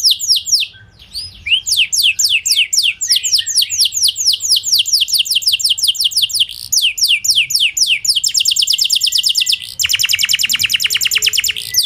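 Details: Canary song used to make other canaries reply and sing, with varied high phrases of rolling down-slurred notes building to a very rapid, dense trill at the end.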